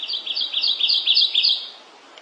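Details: Kentucky warbler singing: a fast, rolling string of bright two-part whistled phrases, about five per second, each a high note dipping to a lower one, fading out after about one and a half seconds.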